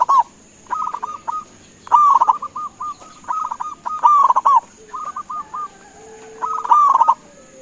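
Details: Local perkutut, the zebra dove, calling to make others respond: a chorus of doves giving loud trilled coo phrases followed by series of short even hoots, bursts every second or two, with a constant high electrical tone.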